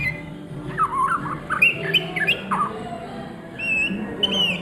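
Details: Midday ngriwik song from an Oriental magpie-robin, wavering whistles and brief downward-curving notes, a short pause, then high thin whistled phrases, over a low steady hum.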